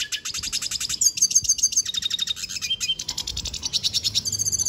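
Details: Red siskin singing steadily: fast, high twittering run of rapid repeated notes, buzzy trills and sharp chips, with brief clear whistled notes mixed in throughout.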